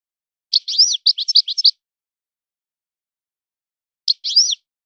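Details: Twittering song of a European goldfinch, a forest-born bird trained to a breeder's singing style: a jingling phrase of sharp, high notes with rising and falling slurs lasting over a second, then silence and a short closing fragment.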